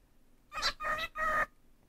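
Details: A pet cockatiel talks, repeating "pretty Broly bird" as a quick three-part phrase in a thin, scratchy, voice-like tone.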